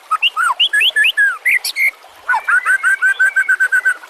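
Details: Master-recording song of a white-rumped shama for tutoring other songbirds: a run of varied swooping whistles, a brief pause, then a steady string of repeated clear whistled notes at an even pace.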